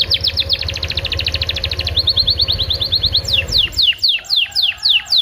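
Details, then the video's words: Canary singing in a recording meant to prompt canaries into song: a fast, dense trill of high chips, then a steadier run of notes, ending in slower, widely spaced downward-sweeping whistles. "PANCINGAN KENARI PAUD FULL ISIAN SUPER ISTIMEWA"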